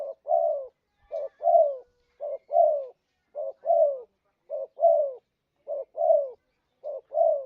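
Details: Spotted dove lure sound used for trapping: clean, mellow cooing in paired phrases, a short low coo followed by a longer, louder, slightly falling coo, repeated roughly every second with no other sounds.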